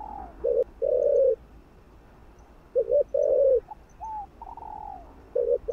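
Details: Stimulating coos of a spotted dove: a stuttered low note leads into a longer hoarse coo, twice, separated by higher, fainter drawn-out notes that slope downward.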